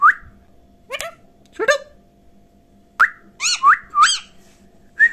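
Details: Talking pet parrot mixing short mimicked syllables with clear rising whistles: brief bursts of chatter, then pure upward-slurred whistled notes, all in a quiet room.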